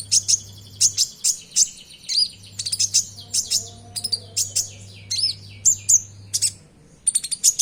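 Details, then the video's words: Common iora (konin) in full song, used to prompt caged birds to sing. Dense, rapid strings of very high chirps and whistled slurs continue without pause over a faint low hum. "Pancingan Suara Konin Gacor Bongkar Isian Sogon, Konin Bahan Langsung Bunyi!!"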